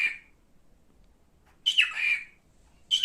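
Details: Pet male cockatiel uttering two loud, rasping screeches, each opening with a sharp rising sweep and trailing off, with a silent gap of about a second between them.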